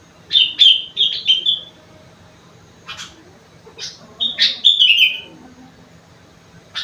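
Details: Sooty-headed bulbul whose song is filled with rengganis and cucak wilis phrases: bright, high whistled notes sliding downward in quick pairs, a harsh burst, then a longer descending whistled run, all over quiet background hum.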